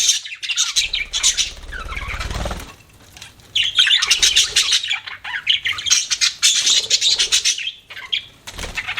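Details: Pet budgies chirping in scratchy warbled bursts with squawky notes, a quieter pause near the middle, and a faint low rumble at the start.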